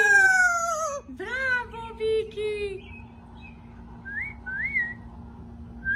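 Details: Pet Amazon parrot wanting its owner opens with a drawn-out falling screech and a few harsh squawks, then quieter short upslurred whistles repeated after a pause, in a small indoor room.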